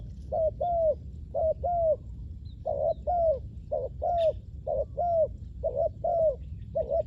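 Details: Spotted dove coos used for luring wild doves: even pairs of hollow notes, a clipped coo and a longer downward croo, repeating about once a second, with a faint chirp in the background.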